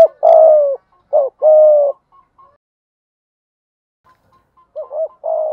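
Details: Spotted dove as a decoy bird, thúc gù cooing in giọng thổ voice: paired phrases of a quick bent note then a drawn-out mellow coo, a long silent gap, then the phrase again.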